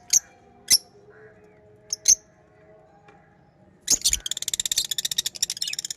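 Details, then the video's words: Pet lovebirds giving a few isolated sharp, high chirps, then a sustained harsh, rapidly pulsing chatter; a faint low hum continues in the background. "Beautiful Pets Love birds chirping & Sound"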